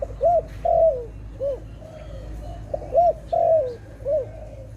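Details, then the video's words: Dove calling in a trapping setting: arched, rolling coo notes alternating with longer descending coos, two phrases in under five seconds, over a low hum. "Sound of dove"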